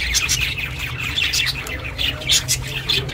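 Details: Pet budgerigar chirping, recorded as company for budgies kept alone; continuous busy chatter of scratchy squawks and high chirps, fairly loud and close, likely indoors.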